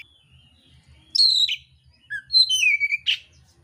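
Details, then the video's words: Fighting oriental magpie-robin, mintal type, pouring out coarse fill-in phrases: a brief thin note, then a loud downward-sweeping whistle, a short low slur and a long falling whistled trill, with faint low humming behind. "kacer mintal tarung bongkar isian kasar"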